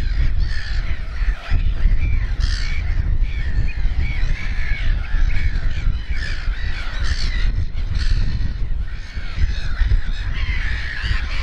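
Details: Black-headed gull colony with fluffy chicks at RSPB Snettisham in Norfolk, late May 2018: a steady chorus of rasping, repeated kee-ar calls from many birds, beneath constant low wind buffeting.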